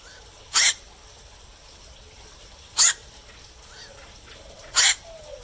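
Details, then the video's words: At night, a black-crowned night heron repeats a coarse, barking squawk three times, roughly every two seconds, over low hiss with faint distant tonal notes. "เสียงนกแขวก นกแขวก (กลางคืน)"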